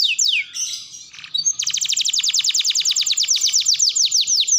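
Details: Canary song with a few falling whistles and a brief squawk-like phrase, then a long rapid trill of sharp down-slurred notes repeated about six per second, clear and close.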